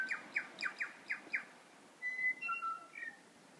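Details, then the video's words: Wild birds in Abel Tasman National Park; six quick descending whistled slurs about every quarter second, followed by longer flat whistles and a warbled two-part phrase, in a quiet setting. "Bird calls in Abel Tasman National Park"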